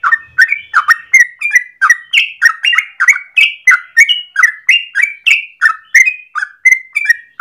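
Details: Long morning song of a yellow-vented bulbul, 'gacor ropel' type used as a lure or master for training birds: a rapid, lively stream of warbling, rising and falling bubbly notes with no break.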